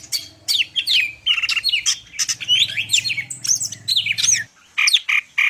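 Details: Cucak ijo (greater green leafbird) from Medan singing rapid jumbled whistles, slurs and rasping chatter over a low droning hum that stops partway through.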